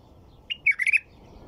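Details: Single short phrase of white-eared bulbul song, a clear opening note followed by four quick, liquid, warbling notes, crisp against faint low rumble.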